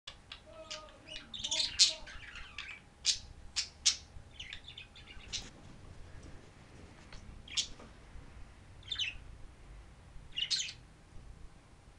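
A budgerigar gives sharp, high chirps and scratchy chatter in irregular bursts.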